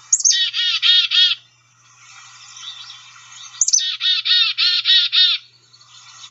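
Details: Black-capped Chickadee field-guide recording of its main chickadee-dee-dee call, which gives the species its name: a high thin opening note then a fast series of five buzzy, harsh dee notes, given twice with a pause between.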